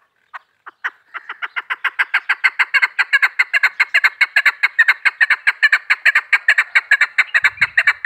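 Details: Female chukar partridge, hunter's call: a few slow opening clucks accelerate into a long, steady, loud series of rhythmic chuck notes, with a brief low thump near the end.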